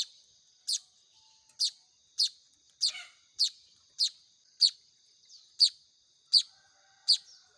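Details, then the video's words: Young Baya weavers begging while hand-fed, a run of about eleven sharp high chirps roughly every half second, one call briefly harsher and broader, over a steady faint high hum. "SUARA ANAKAN BURUNG MAYAR"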